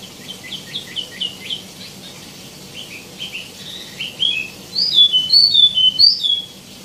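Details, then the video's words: Tieumi, also called wambi mini, singing energetically: a run of short chirps, then loud sharp whistled notes that slide up and down, repeated about twice a second near the end. "KICAU BURUNG WAMBI MINI ( TIEUMI ) GACOR"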